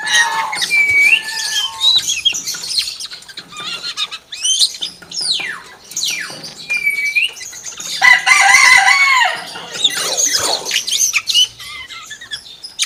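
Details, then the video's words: Common hill myna imitating a chicken within its song, with varied clear whistles, falling squeals and raspy, clucking bursts that come in uneven flurries, growing loudest and densest near the end. "BURUNG BEO SUARA AYAM"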